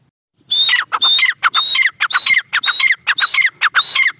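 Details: Female black francolin (teetar) starting after a brief silence, then a tight, loud series of rasping notes, each a high steady tone falling to a lower slur, repeated about twice per second.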